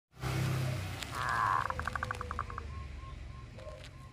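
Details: Local zebra dove singing actively, a call said to set other zebra doves answering: a soft opening coo, then a quick run of short even notes and a few spaced low coos over background hum.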